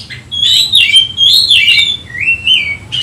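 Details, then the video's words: Kacer (Oriental magpie-robin) provoked to find a rival, singing loud sweet whistled slurs that waver and glide downward in a continuous phrase. "Kacer ngotot emosi mencari lawan"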